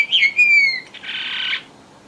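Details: Brief red avadavat lure phrase: two thin whistles falling in pitch, followed by a harsh, buzzy, wheezing note lasting about half a second.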